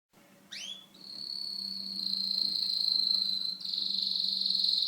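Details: Syrian canary singing: a few quick rising sweeps open into a long, steady, high trill that steps slightly higher near the end, with a faint low hum underneath.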